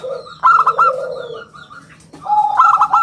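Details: Zebra dove of a local strain, singing actively in a round, crystal voice for luring and tutoring birds: rapid clipped cooing bursts overlap lower rolling coos, with a brief pause midway.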